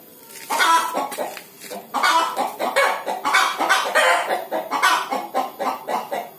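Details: Hens about to lay eggs give rasping, repeated clucks that build after a soft start. A dense, uneven chatter of rough notes follows, rising and falling in loudness.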